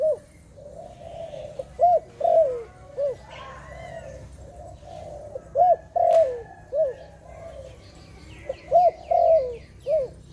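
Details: Dove producing clusters of short, bouncy, rippling coos and longer slurred notes dropping in pitch, with quiet gaps between clusters; brief high chirps from another bird near the end over faint low hum.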